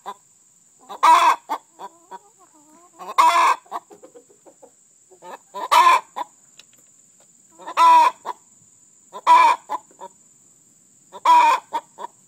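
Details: Laying hen announcing a fresh egg with her egg song: loud, harsh, broad squawks roughly every two seconds, each followed by a few quick soft clucks, with quieter clucking between.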